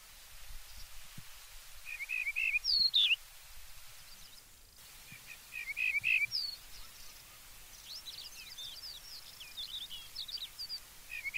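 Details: Yellow-breasted bunting singing outdoors: a phrase of three or four clear, repeated whistled notes that slide into a higher, slurred descending flourish. The phrase is repeated after a pause, with faint chirps of other birds behind.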